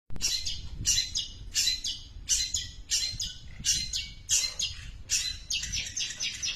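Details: Long-tailed shrike giving a very long run of imitated tree sparrow calls: harsh, buzzy chirps repeated roughly every half second in an uneven series, each a broad, scratchy burst with bright high overtones.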